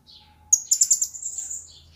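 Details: Recently obtained blue-crowned hanging parrot in captivity lets out a shrill, rapid pulsing chatter of high squeaky notes that fades out over about a second, preceded by a soft tweet.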